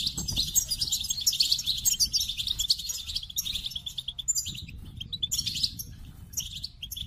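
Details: Continuous, busy goldfinch song: a dense stream of high twittering and buzzy chatter, with tinkling phrases and brief pauses later on, over a low background hum.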